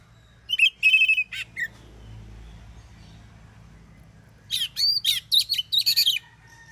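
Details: Morning song of an Oriental magpie-robin, meant to make other magpie-robins reply: a burst of strong raspy whistles, a quiet gap, then a longer string of varied bright, twisting whistled notes.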